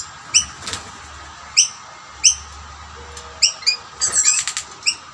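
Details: Rainbow lorikeets squabbling over food at snack plates, where a dominant male chases others off. High, clipped chirps repeat about every second, then a harsher chattering flurry near the end, over faint wing flutters.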